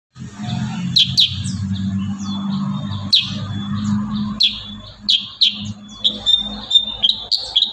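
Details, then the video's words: Kurincang singing vigorously in the dense 'tembakan rapat' style, recorded as a tutor song for cage birds: sharp, high, downslurred whistled notes in clusters, some drawn into thin level tones, over a steady low hum. "Masteran burung kurincang tembakan rapat"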